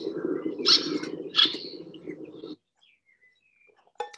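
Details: Little Tern, a declining summer visitor to Sussex, giving two sharp, raspy high calls about a second apart over a low steady hum, then near silence.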